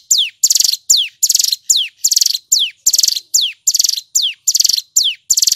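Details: Loud, clear song of a male Hill prinia delivered in rapid 'ngebren' bursts. High buzzy rattling trills alternate steadily with steeply falling whistled notes, around fourteen phrases with short gaps and no other sounds.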